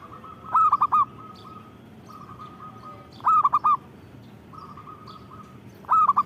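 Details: Local zebra dove (perkutut) in vigorous song, loud phrases of four rapid hollow coos recurring about every three seconds, with softer, fainter strings of even cooing notes filling the gaps; low background hum throughout.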